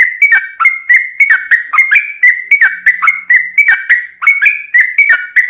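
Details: Lure recording of a trucukan, the yellow-vented bulbul, singing hard in long 'ropel' runs: liquid warbled whistles dipping and rising, delivered in tight bursts roughly every half second, steady and unbroken, with crisp high ticks over each phrase.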